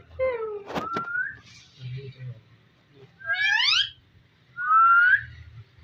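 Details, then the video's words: Talking pet ringneck parrot indoors in a small room: a falling whistled note, a sharp click, then a rising slurred whistle, a burst of upswept chirps and a final rising whistle, with quiet gaps between. "Talking parrot so cute"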